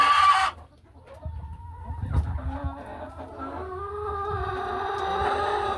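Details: A short loud cackle opens, then quiet shuffling and soft rustles before laying hens in the hen house resume low, drawn-out overlapping calls.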